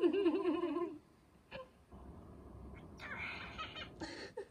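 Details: Pet cockatiel kept indoors, doing its favourite imitation of human laughter: a wavering, chuckling voice lasts about a second, then a quiet room follows with brief knocks and rustling noises.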